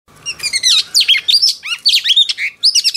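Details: Female oriental magpie-robin, a freshly caught wild bird, singing to stir up males: a dense run of rich whistled phrases, sweeping up and down and interleaved with quick chattering notes, with no pause for three seconds.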